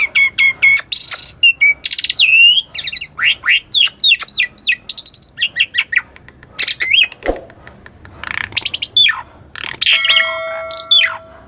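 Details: Asian pied starling delivering varied training song with rolling phrases, recorded on a Sony A6400: steady whistles, buzzy bursts and rapid stuttering chips, then rising and falling slurred notes and a harsh rattle.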